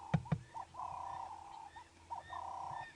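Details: Ring-necked dove perched just overhead on an early-morning safari drive around sunrise, 19 August 2016, its throat puffing out as it calls: drawn-out, level coos, two long coos with short lead-in notes, over two sharp knocks and a low hum.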